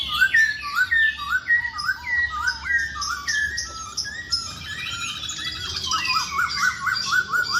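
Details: Masked laughingthrush in energetic song, played to coax reluctant birds to sing: repeated bouncy down-slurred whistles, then chattering high notes and a quick train of similar whistled phrases.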